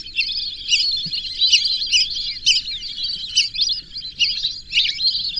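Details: Whistling duck calls: busy, high-pitched chattering whistles pulsing in loudness about once a second, with overlapping voices and a faint low background murmur.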